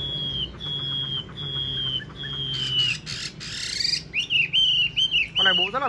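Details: Caged, tamed Chinese hwamei with yellow legs and yellow bill, noted for a loud voice: long level whistles repeated, then bursts of bright warbling and rising slurred whistled phrases, with a low hum beneath.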